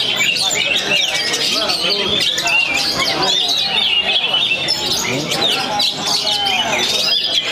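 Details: Post-moult Oriental magpie-robin from Perbaungan sings a continuous, energetic run of piercing chirps, trills and short swooping whistles; voices of people are heard behind the bird.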